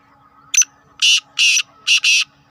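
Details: Black francolin giving its rasping call: a brief high note followed by four harsh, buzzy bursts, the last pair linked, set against faint low background hum.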